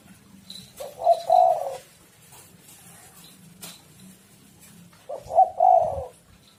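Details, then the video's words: Spotted dove lure cooing: two low, burred coo phrases about four seconds apart, each a short note followed by a longer rolling coo, over faint background noise and a thin high tone. "tekukur super gacor suara prangsang untuk burung"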